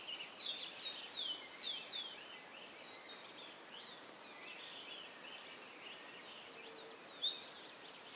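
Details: Chestnut-crowned Becard building its nest at RPPN Corredeiras do Rio Itajaí, Itaiópolis, Santa Catarina, Brazil, giving a quick run of about five thin, high, downslurred whistles, then a single sharp note, over steady hiss.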